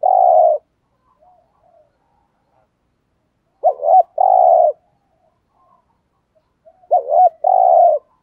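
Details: 'Thúc gù' cooing from a decoy spotted dove meant to draw in wild doves. Three soft, hollow coos come about every three seconds, the later two opening with a brief warbling lead-in before a sustained low note.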